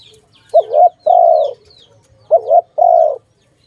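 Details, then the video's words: Dove calling, linked to bird trapping: two paired coos, a wavering lead note and a longer level hoot, with sparse high descending chirps from other birds behind. "Sound of good dove"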